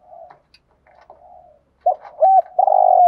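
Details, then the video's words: Decoy spotted dove calling in the early morning: faint, muffled cooing at first, then louder short coos ending in a long vibrating note. "cu moi gay goi boi bvuoi sang sớm"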